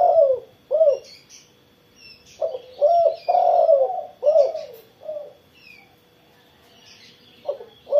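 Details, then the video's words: Low resonant cooing of a spotted dove after morning sunning: a quick pair of coos, then a cluster of four rolling coos around three to four seconds, a quiet gap, and a final coo, with scattered chirps of other birds. "burung tekukur derkuku gacor setelah jemur pagi"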